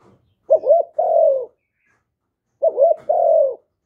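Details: Vietnamese spotted dove calling to stimulate newly caught doves to coo, recorded live without background noise; two phrases, each a quick doubled coo followed by a longer, mellow, slightly falling coo, separated by silence.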